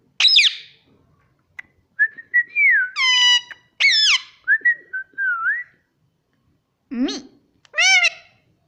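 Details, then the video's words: Pet Indian ringneck parakeet that talks, saying words like mummy and papa in Hindi; a string of clear whistled and harmonic vocalisations, gliding up and down, in short bursts with pauses, indoors and quiet. "parrot talking mummy || papa bolta tota || indian ringneck parrot"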